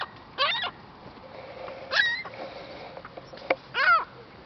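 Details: Seagull in Lac La Biche, Alberta, Canada, angrily trying to get a french fry: three separate harsh, harmonic squawks spaced about two seconds apart, each with a downward-bending tail, over a steady background hiss.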